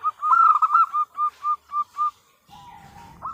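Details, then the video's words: Female zebra dove calling the male: a fast run of short, clipped cooing notes, about four per second, falling slightly in pitch, then a brief pause and a lower drawn-out note. "Suara Perkutut Betina Memanggil Jantan"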